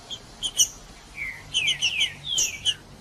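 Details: A green-winged saltator sings, used to get males singing: scattered high chirps, a soft falling whistle, then clustered downslurred notes with a slight hiss behind.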